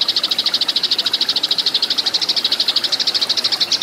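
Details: Eurasian tree sparrows in a fighting-call recording: a fast, steady chatter of high chirps, about ten a second, running without a break over faint background hiss.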